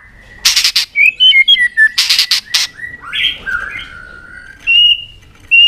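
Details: White-rumped shama in fighting song, provoked: bursts of loud dry clicking or tapping notes alternate with clear, slurred whistles at varied pitches.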